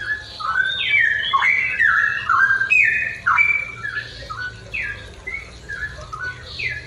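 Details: In the morning, a straw-headed bulbul pours out loud, rich, bubbling whistled phrases that slide up and down in quick succession, about two a second, over a faint low hum.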